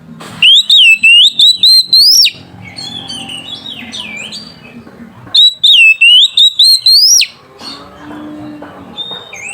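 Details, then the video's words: Oriental magpie-robin challenging a rival in loud ngeplong song, meant to provoke young untrained birds: two bursts of rapid, rising whistled notes, with softer varied warbling and chatter between them. "SUARA BURUNG KACER GACOR NGEPLONG MEMANGGIL LAWAN"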